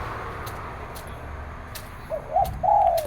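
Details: In the morning, a zebra dove gives its 'three jook' song. After a stretch of quiet with sharp clicks, two short coos lead into a long rolling coo near the end.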